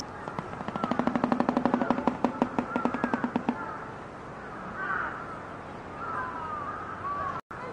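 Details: A shoebill clatters its bill in a rapid, hollow, machine-gun-like burst of knocks lasting about three seconds and slowing toward the end; faint chirps of other birds follow.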